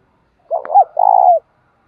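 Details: Captive decoy spotted dove used to attract wild doves, delivering one brief phrase of two low coos, a short bent note followed by a longer vibrating hoot that falls off at the end; otherwise silent.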